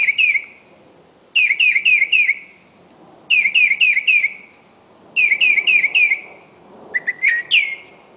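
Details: Night song of a Northern mockingbird in Medford, MA, recorded around midnight or 1 AM: rapid series of three to five sharp, downslurred whistled notes, repeated in separate bursts, then a different phrase at the end, with faint background hum.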